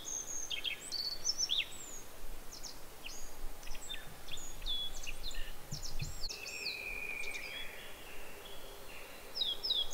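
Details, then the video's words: Japanese yellow bunting sings a high, thin phrase of quick chips and short trills, then a long level whistle, over a steady low rumble; a Black-faced bunting overlaps. "ノジコがさえずる Japanese Yellow Bunting"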